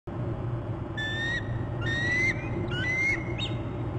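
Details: Bald eagle alert calls at a nest and territory on Hornby Island, January 26: thin, high whistled notes in about four short phrases, some gliding upward, over a steady low rumble.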